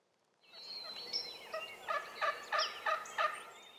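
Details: Wild turkey in early spring in Rhode Island, a rapid series of pulsed, stacked notes about every third of a second building to a loud repeated rattling gobble, faint higher calls mixed in.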